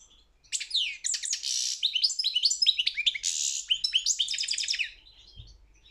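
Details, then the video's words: European goldfinch in a song contest delivering a continuous lively phrase of descending slurred notes, buzzy trills and quick twittering, ending in silence. "Pesma štiglića 009/23 World Championship in Goldfinch Song"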